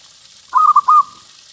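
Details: Local perkutut, a zebra dove kept for its big voice and used as a singing lure, gives a single brief phrase of three rolling, mellow coos on a steady pitch, then silence.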